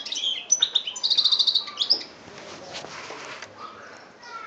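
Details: A European goldfinch recorded in Algeria in 2013, chbab song style: tinkling twitters leading into a rapid buzzy trill, then quieter background with faint distant chirps.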